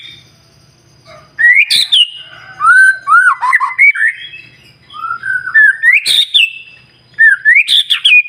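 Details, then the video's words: Singing white-rumped shama, used to encourage other shamas to sing; upward-swooping whistles end in rasping bursts, with quieter warbled phrases between and a faint low hum. "PANCINGAN MURAI BATU SUPER NGOTOT,DI JAMIN BURUNG MURAI JADI GACOR"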